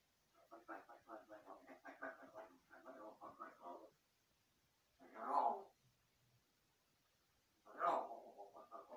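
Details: A large-billed (jungle) crow, not yet speaking real words, talks to itself in imitation of human speech: about four seconds of babbling, voice-like syllables, followed by two louder, harsher bursts.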